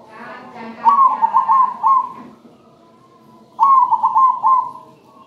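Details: Zebra dove, a local bird, singing melodiously: two rolling, rhythmic phrases of quick coos about three seconds apart, each lasting over a second, over a steady low background hum.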